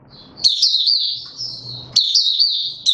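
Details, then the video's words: Caged white-eye (mata puteh) pushed into form, giving its opening song (buka sing) on 31 December 2021: high, thin twittering phrases with quick warbled notes, two bursts about one and a half seconds apart, a faint low hum beneath. "Mata Puteh - Raja V2 Pushing him on form buka sing"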